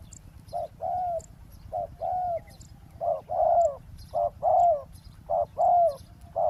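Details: Decoy spotted dove calling during roadside ground trapping of wild doves: repeated paired coos, a clipped note followed by a longer arched hoot, about once a second, with faint high ticks behind.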